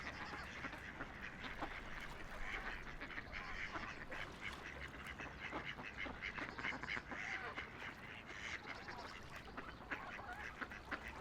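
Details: Ducks floating and playing on a quiet river; a dense chatter of overlapping nasal quacks runs throughout, mixed with splashes and the constant rush of flowing water.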